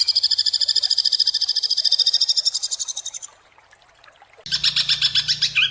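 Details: Greater green leafbird in rough, sharp 'tembakan' style with dense variations: a fast, even trill of high buzzy notes for about three seconds, a brief pause, then another loud rapid burst of repeated high notes.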